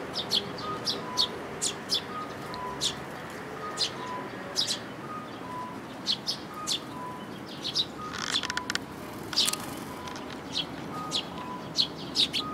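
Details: An adult sparrow with its chick on 18 May 2018: rapid high chirps repeated throughout, bunching into a dense burst midway, while a soft steady electronic beeping sounds in the background.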